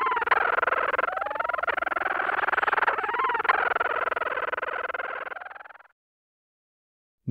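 Leach's Storm-Petrel gives a dense, rapidly pulsing, buzzy churr with a few brief sliding notes for about six seconds, then stops.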